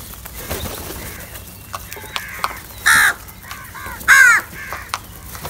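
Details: Hoarse, grating caws from crows squabbling over cheese. Two loud calls stand out about a second apart, with several fainter, rasping caws scattered around them.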